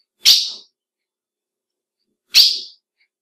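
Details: Female ultramarine grosbeak calling to excite males: two short, bright, buzzy chips about two seconds apart, in silence.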